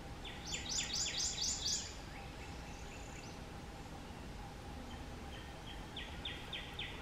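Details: A prothonotary warbler at South Tibwin Trail, Charleston County, South Carolina, 18 April 2021, sings two bright series of about six loud, ringing, evenly repeated notes, with a steady insect-like hum and background noise.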